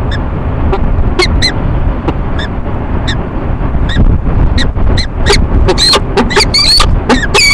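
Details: Two peregrine falcons ee-chupping loudly during courtship at a city building nest box in Rochester, NY, on a March morning; scattered short harsh notes build into a rapid, louder burst toward the end, with constant low hum behind.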